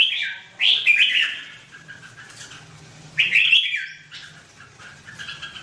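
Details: Red-whiskered bulbul giving two loud, rich warbled phrases about two and a half seconds apart, each a short tumble of whistled notes, with quiet gaps between.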